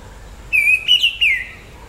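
An Orange-headed Thrush gives a single clear, high whistled phrase lasting about a second, wavering and broken into three quick linked notes, over faint background hiss.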